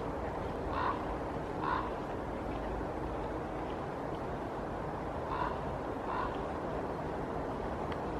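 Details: A common raven (Corvus corax) perched atop a larch tree in Helsinki, Finland, in October 2022 gives two pairs of harsh, hollow croaks about four seconds apart over a steady low rumble of wind or traffic.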